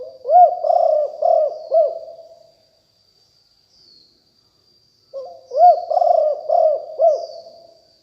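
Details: Decoy calling by a spotted dove of a fierce strain: two repeated phrases of deep, hollow cooing, three or four bowed notes each after a brief introductory note, with a long quiet gap between.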